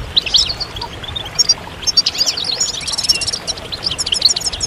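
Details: European goldfinches chattering in a group, a song used to push males out of moult: thin, sparkling high notes and short trilled runs, softer and more scattered, with faint background noise.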